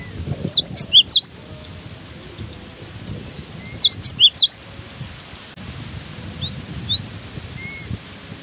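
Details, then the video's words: Cinereous tit keeps singing through strong wind, giving short bursts of three or four piercing, swooping whistles, then pausing several seconds before repeating; a fainter phrase follows. Wind roars low underneath. "Diterpa angin kencang! burung gelatik batu ini tetap gacor"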